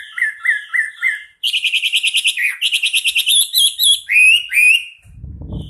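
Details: Chinese hwamei, a national champion singer, in a loud varied song: repeated slurred whistles near two kilohertz, then a fast run of rich rising notes and looping phrases, ending with a brief rustle.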